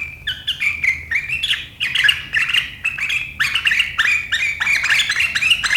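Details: Sharp riwikan chatter of a sooty-headed bulbul, meant to provoke rivals into chattering, 7 April 2023: quick bright chirps and slurred notes tumbling one after another, steadily energetic throughout.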